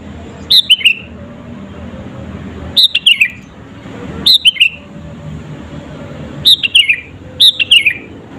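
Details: Sooty-headed bulbul singing lustily to goad rival birds: five bubbly phrases of quick descending notes at uneven gaps of one to three seconds over quiet background rumble.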